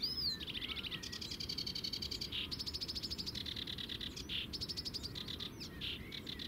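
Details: Sedge warbler singing clearly at the Zouweboezem in the Netherlands, recorded from a distance with a compact camera: fast chattering phrases of buzzy rattles and harsh trills, switching abruptly between high grating bursts and brief whistled notes, over a low steady rumble.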